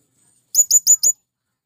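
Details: Male blue-crowned hanging parrot calling to draw wild birds: a single fast run of four loud, shrill, high-pitched chips, evenly spaced, in an otherwise quiet setting.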